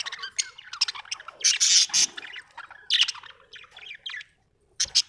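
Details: Home budgerigars giving loud, piercing chirps and shrill squawks amid fast scratchy chatter, in strong bursts with a short quiet break before the final sharp notes.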